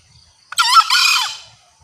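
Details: Green junglefowl call, presented as a lure recording that draws males closer. One loud, hoarse, two-part squawk lasting under a second, falling at the end, in near silence.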